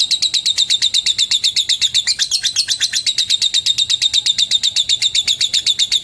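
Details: Lovebird calling a rival with a long ngekek trill: a very regular, rapid series of shrill, buzzy pulses, roughly seven per second, with a slightly louder, rougher patch around the middle.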